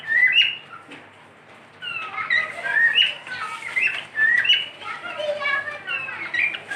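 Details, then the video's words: Cockatiel kept as a pet whistling a long, tuneful sequence of slurred rising and falling notes, briefly pausing, then resuming with busier overlapping phrases. "My cockatiel | beautiful Whistling"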